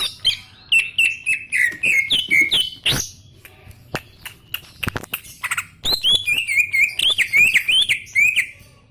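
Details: Greater green leafbird delivering gacor song: a long varied stream of slurred whistles and chips, a brief clicking interlude, then another rapid run of wavering whistled notes at high pitch.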